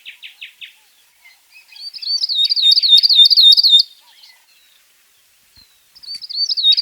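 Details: A Northern grosbeak-canary gives a few soft, falling chirps, then a two-second run of rapid, high, looping notes. After a quiet gap, another run begins. The background is otherwise silent.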